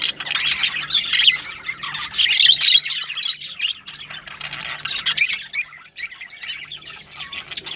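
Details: Breeding-stimulation sounds of rosellas: a loud mass of harsh chattering and squawks in the first half, then sparser sharp chirps and short whistled squeaks.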